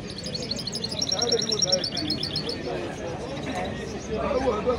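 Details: A goldfinch-canary hybrid, bred from a male goldfinch and a female canary, sings a rapid run of high, twittering trills and chips, while a man's voice talks over it throughout.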